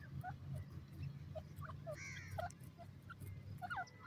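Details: Young Iranian (black) francolin chicks, or teetar, being raised, give short, thin peeps and slurred chirps at an irregular pace, with one longer, louder squeal, over a steady low hum.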